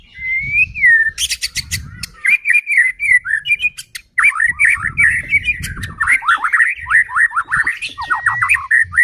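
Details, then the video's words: White-rumped shama singing as a lure to set other shamas singing; a long, clear whistle opens, followed by harsh rattles and then a rapid cascade of sweeping whistled notes, with low background rumble. "Murai batu gacor AMPUH buat PANCINGAN murai batu agar bunyi JADIKAN burung murai EMOSI"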